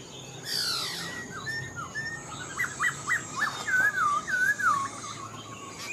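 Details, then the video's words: Caged wild-caught Black-throated laughingthrush builds from soft chirps into a series of loud, looping whistled notes about twice a second, rising and falling in a flowing "mộc dở" song. "Khướu bạc má mộc dở chim già rừng, hót tốt giọng hay"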